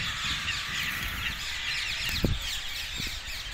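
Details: Parakeets by the dozen gathering in trees south of Hackney Marshes, 18 February 2021. Continuous high, harsh chattering and screeching from many birds at once, laid over a steady low rumble with a few soft knocks.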